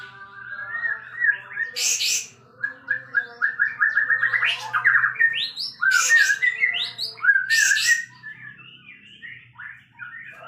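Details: Sooty-headed bulbul singing loudly and steadily, described as tail-spreading. It gives fast runs of short, bright warbled notes that rise and fall. Three brief bursts of harsh, hissing noise break in.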